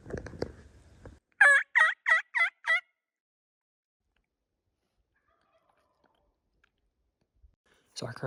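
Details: Roosted Merriam's wild turkey gobbling after sunset from trees within about 200 yards, north rim of the Grand Canyon; five quick, rattling harmonic notes after faint rustling, then silence and later handling noise.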